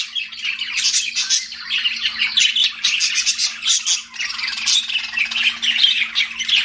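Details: Pet budgie chattering nonstop, a dense run of scratchy chirps, squawks and warbles with brief pauses near the middle, a low constant hum in the background.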